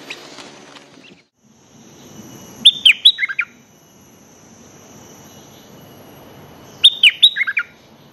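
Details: Bulbul song used as a decoy to lure birds into fighting; two bursts about four seconds apart, each a quick run of bright whistled notes, rising then dropping, ending in lower slurred chirps, over quiet background hiss.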